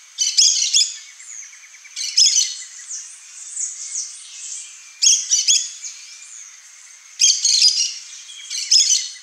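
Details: Repeated harsh, squeaky chattering from a pair of Yellow-chevroned Parakeets, with bursts every two to three seconds, some doubled. A constant high buzzing background runs underneath.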